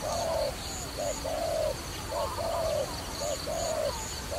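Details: Trapping dove calls in regular pairs, a short soft coo then a longer level one, repeating about once a second over a continuous high-pitched background tone.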